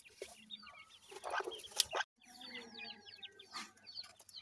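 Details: Peeping of grey francolin chicks with their parents: clusters of tiny sliding cheeps repeated rapidly, interrupted by loud rustling bursts and a short silent gap near the middle.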